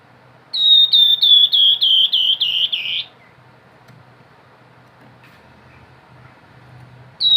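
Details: Grey-headed babbler giving the nyiul whistle: about eight clear whistled notes, each sliding slightly downward, repeated quickly over roughly two and a half seconds, then a long quiet spell.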